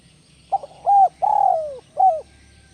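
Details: Mellow cooing phrase from a spotted dove (tekukur) in the 'kuk 1 melambung' style, built of a stuttered start, a rounded middle coo, an extended descending note and a single clipped ending note, with a faint low hum beneath.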